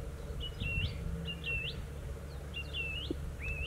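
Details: Song thrush repeating a clear swooping whistle phrase three times, each sliding down and then flicking up, against a constant low background drone.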